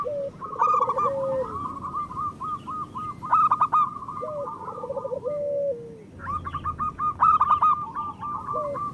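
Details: Local zebra dove song, played to encourage reluctant or moulting doves to sing. Two main phrases of quick trilled coos each end in a steady held note, beneath a denser band of higher repeated cooing.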